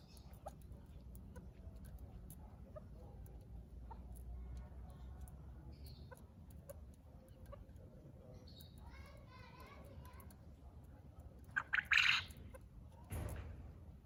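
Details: Farm-raised quail give faint chattering calls, then one loud, harsh, burry call near the end, over a steady low background hum; chakor partridges are also featured.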